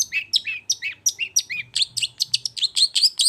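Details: Rapid, bright whistled phrases from a long-tailed shrike, intended to rouse a silent shrike, with slurred high notes repeated about four times a second and growing louder toward the end.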